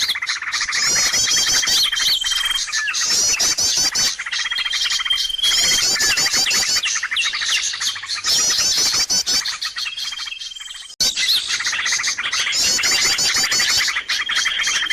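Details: Busy lure call for attracting birds: continuous overlapping chirps, rapid trills and recurring long steady whistles from many birds, with a sharp break near eleven seconds.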